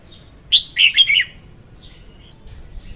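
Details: Female red-whiskered bulbul used as a trapping lure: one fast rolling phrase of five or six whistled notes, then a few soft distant chirps and quiet background.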